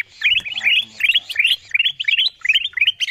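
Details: Kutilang emas bulbul call played to attract wild birds: short bursts of three or four bubbling whistled notes, repeated at uneven intervals of about half a second.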